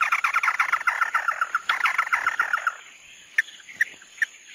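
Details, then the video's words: Chim mắt đỏ (red-eyed bird) in tí nỉ style: a fast train of even whistled notes over buzzy chatter for nearly three seconds, then three isolated sharp chips. "Tiếng chim mắt đỏ tí nỉ chuẩn nhất"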